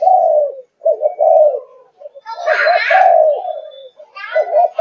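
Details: Spotted dove of the Malaysian thúc gù cooing line, 5.5 months old: repeated low, hoarse coos with short pauses, and a rougher, noisier burst around the middle.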